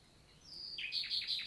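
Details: Nightingale in summer morning forest, Lot, France: a thin rising whistle leading into four quick repeated downslurred chirps.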